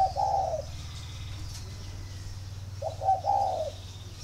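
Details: Spotted dove at a bird garden in Ba Vi, Hanoi, calling as a sign of readiness to pair; two low coo phrases at the start and end over a steady low mechanical hum.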